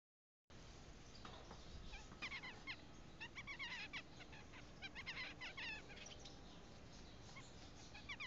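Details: Double-barred (owl) finch singing on 17 June 2015: quick clusters of thin, high chirps and ticks, bursts coming every second or so over a steady low background hum.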